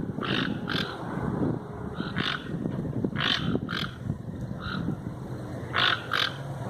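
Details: Toucans calling in the wild: brief barking notes, often in quick pairs, scattered over several seconds above a steady, heavy low-frequency rumble.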